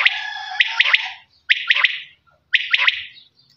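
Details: Three crisp phrases from a quail, each a quick trio of bright whistled notes, separated by brief silences.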